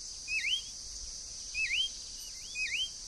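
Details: Three swooping whistles from a free-living green-backed becard, each note dropping then curling upward, spaced about a second apart against a constant high-pitched insect hum.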